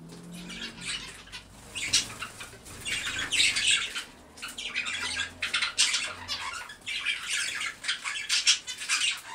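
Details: An indoor zebra finch picking around among stones gives harsh, buzzy nasal calls in quick irregular bursts.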